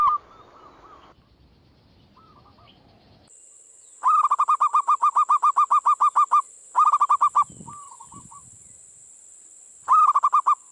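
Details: Lure recording of zebra doves meant to attract and provoke replies: long runs of rapid, rolling trilled coos alternate with shorter fragments, with a continuous high electronic whine through much of it.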